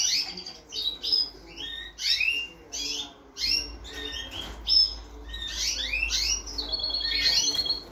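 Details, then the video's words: A goldfinch × canary hybrid finishing its moult in 2022 sings a fast, varied song of twittering phrases and bright rising notes, ending in a quick buzzy trill. "Híbrido de jilguero por canaria"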